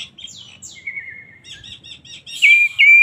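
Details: Agitated song of a poci-type Oriental magpie-robin: falling whistles, a long level whistled note, soft chattering notes, then two loud sustained high whistles at the end.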